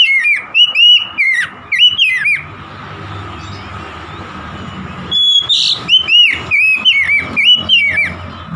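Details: Oriental magpie-robin song intended to make a stressed, silent magpie-robin start singing: quick series of loud whistled, down-slurred notes, a quiet spell of a few seconds, then another lively run of varied whistles.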